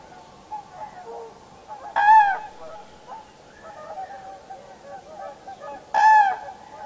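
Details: A common crane at Heinä-Suvanto nature reserve, Viitasaari, Finland, on 26 April 2011 gives two loud, rolling trumpet calls about four seconds apart, against faint distant birdsong.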